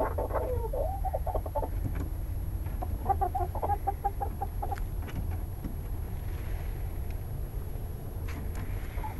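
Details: Chickens settling to roost in their coop at night murmur in soft low clucks, in short bursts and pauses, over a steady low hum and a faint high electrical whine.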